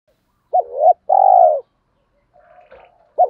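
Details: Spotted dove cooing, used to get trained and decoy doves to coo: one full phrase of a clipped double note and a long, even, mellow coo. Faint twittering follows, then the next phrase begins.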